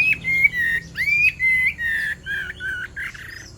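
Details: Chinese hwamei female song to arouse the male: several drawn-out whistled phrases, some rising and some flat, broken by brief gaps, gradually fading toward the end.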